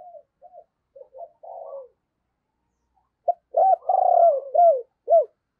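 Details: Decoy spotted dove giving 'thúc' and 'gáy' coos to lure wild doves: a few soft, short low coos, a pause, then a loud phrase of hooked coos around a long drawn-out middle note.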